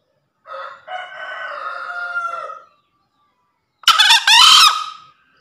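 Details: Green junglefowl in breeding condition, voice used as a master sound to prompt quiet birds and for luring: a long sustained harmonic drawl, a gap, then a loud harsh, screeching burst lasting about a second.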